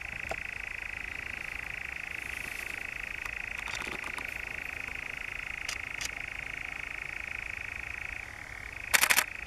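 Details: Long, dry churring of a European nightjar, Norfolk's Brecks, July 2017, with scattered clicks; the trill drops in pitch near the end before a burst of loud rattling knocks.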